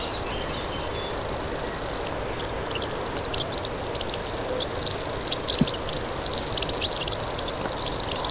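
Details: Common grasshopper warbler (Locustella naevia) with an unbroken, high, insect-like buzzing reel that drops briefly at two seconds, then resumes strongly, overlaid by scattered chirps of other birds.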